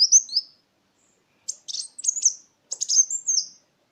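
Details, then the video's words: Sunbird singing, used to coax caged birds that have stopped singing: shrill high-pitched twitters and quick downslurred notes in three short bursts, each under a second, with quiet gaps between; clean background. "Suara pancingan burung Kolibri Wulung"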